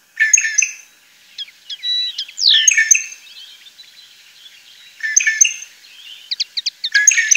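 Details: Song of a European goldfinch recorded around Tablas de Daimiel and Villarrubia on the Manchegan plain, Spain: fast jumbled twittering with sharp ticks and buzzy notes in several bursts, quiet gaps between them.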